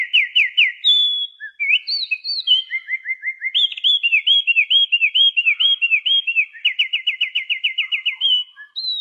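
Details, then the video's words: Songbird with a voice likened to a magpie-robin, delivering a long varied whistled phrase of quick rising slurs in repeated series, shifting pitch between groups and ending on a higher clear note; no background noise. "suaranya mirip Kacer, burung apa ini ?"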